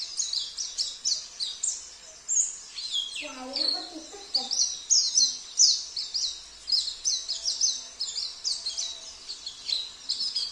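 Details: Oriental white-eye singing continuously with fills of canary, cililin, kapas tembak and jenggot songs: a long, dense run of very high, fast chirping and twittering notes, with a short lower, rougher burst near the middle.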